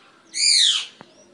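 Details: Eclectus parrot kept at home in Nawalapitiya, Sri Lanka: one loud, harsh, raspy screech lasting about half a second, slightly falling in pitch, followed by a faint click.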